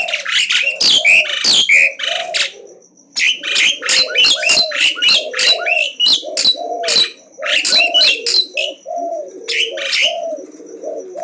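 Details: Unafraid Asian pied starling challenging without pause, its nonstop song a rapid series of rasping, clicking chatter notes about three per second, with low cooing sounds running steadily underneath and a faint high tone.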